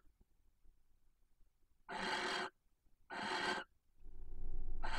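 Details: Barn owl female soliciting copulation at a nest box in Cabañeros National Park: two hoarse hissing screeches about a second apart, followed by a low rumbling noise and the start of a third screech.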